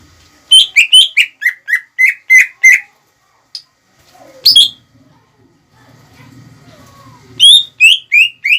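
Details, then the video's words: Greater green leafbird song meant to provoke rival males; a fast string of sharp chirping notes, a long silent gap with a single click and a loud squeak, then another burst of whistled notes. "PANCINGAN CUCAK IJO GACOR CEPAT MEMANCING EMOSI LAWAN"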